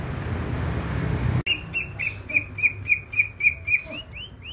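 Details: Greater green leafbird from Banyuwangi, East Java, singing vigorously: after a noisy opening, a crisp, evenly spaced chain of ringing whistled notes, about four per second, ending in two rising upslurs.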